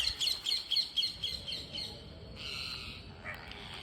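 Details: Green parrots at feeding time give a quick run of harsh, buzzy calls, about four each second for two seconds, then a longer raspy squawk and one short closing call.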